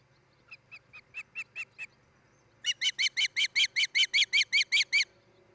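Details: Osprey calling at its nest in Charlo, Montana, nest camera recording of a breeding pair, 10 July 2018: seven thin chirps building in strength, a short pause, then a loud, rapid run of about thirteen ringing whistled chirps.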